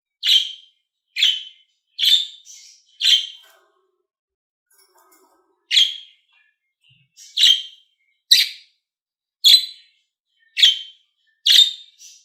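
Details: Budgerigar chirping meant to stimulate other budgies: a steady run of short, scratchy, bright notes roughly one per second, with a two-second pause in the middle and a few softer trailing notes, in a quiet background.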